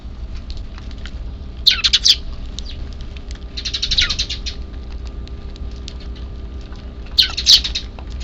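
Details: Hidden chick calls from a semi-wild Eurasian tree sparrow flock in Japan, 3 April 2024, before evening feeding; three separate bursts of rapid, buzzy, squealing chirps divided by pauses of a few seconds.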